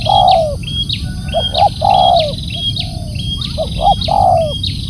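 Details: Spotted dove calling loudly: hoarse, arching coo notes repeated in pairs and triplets, with a steady high repeated chirping from another source above and a constant low background rumble.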